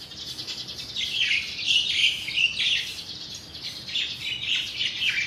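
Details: Crested myna, one of two in the area, mimicking other birds, mostly juvenile yellow-vented bulbuls: continuous, high, varied chirps and squeaky wavering phrases with no pauses, over faint outdoor background.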